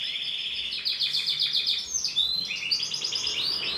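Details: Canary hen, bright green, producing rapid rolling trills followed by high whistled notes and quick chirps in a lively, continuous stream.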